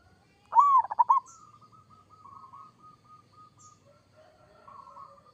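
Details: Local zebra dove in kerot-style song gives a loud burst of stuttered coos, then a long train of faint, evenly spaced soft notes trailing off into a quieter warble.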